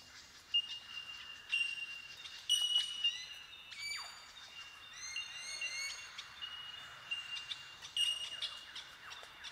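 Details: Bell Miners calling in tall eucalyptus forest in the Watagans, south-eastern Australia. Ringing, high bell-like tink notes sound about once a second, joined by downward-sliding whistles and chirps from the colony's chorus.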